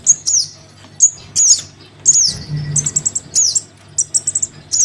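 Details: Crimson sunbird chick calling its parent, played as a lure for sunbirds that are hard to bring down: very high thin chirps and sharp descending whistled sweeps in short bursts about once a second, with a faint low steady hum.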